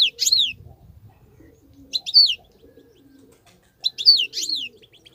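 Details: Wild European goldfinch, a fine wild-caught bird, giving three high, sharply falling twittered calls roughly every two seconds, with quiet low murmurs between them.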